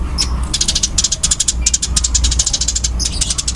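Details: Eurasian tree sparrow of the fighting type, its calls fast and dense: an almost unbroken stream of sharp high chirps, about five per second, with brief pauses, against a constant low background hum.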